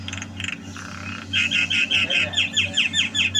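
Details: A Javan myna in active song during 2022 repeats bright chirping notes in a fast even series, roughly two or three per second, after a few harsh opening notes, with a faint low hum beneath.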